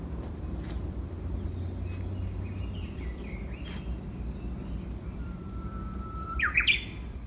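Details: Japanese bush warbler singing in May: a long, steady whistled note ending in a sharp, quick flourish, over a low constant rumble and faint twittering from other birds.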